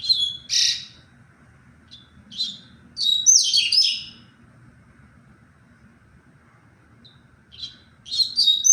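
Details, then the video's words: Double-collared seedeater song from 23 February: a loud opening note, then short high chips and a run of fast, sweet, jumbled twittering phrases, a pause, and a fresh burst near the end. Quiet low hum underneath. "LINDO O CANTO DO COLEIRO"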